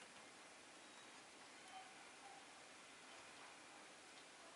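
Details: Soft, steady hiss like falling rain fills the recording, with no animal calls heard.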